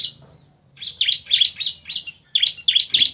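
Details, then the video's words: A male and female bar-winged prinia exchange calls: a brief thin note, then quick, buzzy, rasping chirps about three a second in two short bursts. "Suara Asli Ciblek Jantan Betina Bersahutan"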